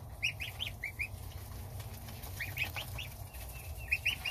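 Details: Domestic goslings eating starter ration at breakfast with their mother while the father goose stands guard outside; soft, high, rising peeps come in small clusters over a low steady background hum.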